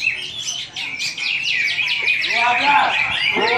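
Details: Greater green leafbird singing at a Singkawang cucak hijau contest: a rapid series of high, sharp chirped notes repeated about four per second, then lower sweeping whistles, with other contest birds audible.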